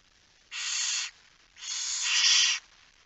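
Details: At a Frisian nest site at night in September 2019, a barn owl gives two long rasping hisses during feeding, the first about half a second, the second over a second and growing louder toward its end.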